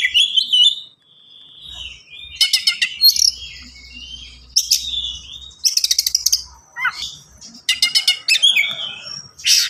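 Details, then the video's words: Oriental magpie-robin in lively, tightly packed song, alternating loud rattling bursts of rapid strokes with whistled and slurred phrases, several times in quick succession. "KACER GACOR SPEED RAPAT FULL ISIAN"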